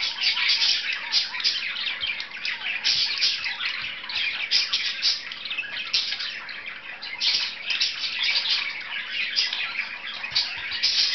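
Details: Two pet budgerigars playing together, giving a continuous dense chatter of sharp chirps and squeaky warbles, high-pitched and steady throughout, with faint watery background noise.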